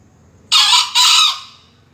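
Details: A two-syllable crow, broad and raspy, from a green junglefowl competing in a 2020 crowing contest final in Surabaya; short harsh opening note, a split-second gap, then a longer note fading away.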